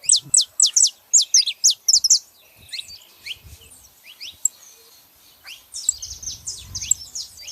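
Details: Female and male saffron finches: a fast, loud series of sharp descending chirps for two seconds, a quieter stretch of sparse notes, then another dense chirping burst over low rumble.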